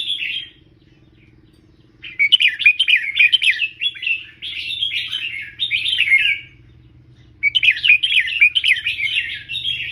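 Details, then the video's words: Caged red-whiskered bulbul used as a tutor bird for teaching song, giving bursts of rich, warbled whistled phrases in three runs separated by short pauses, with a low steady hum underneath. "เสียงนกกรงหัวจุก เบิ้ล3 อาชีพ #นกครู"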